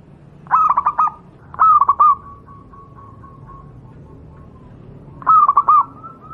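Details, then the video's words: Wild local zebra dove (Geopelia striata), recorded as a tutor song for other zebra doves: soft, stuttering coos in three half-second bursts at a steady mid pitch, with a long gap before the last and a faint lingering tone between. "burung Perkutut lokal alam, suara untuk masteran perkutut anda"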